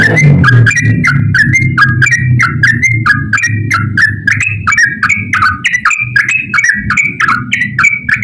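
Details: Lively yellow-vented bulbul pouring out an extended ropel song, used to coax quiet birds into singing. Dense string of brief bright whistles rising and dropping in pairs, roughly three per second, over low rumbling background noise and ticking clicks.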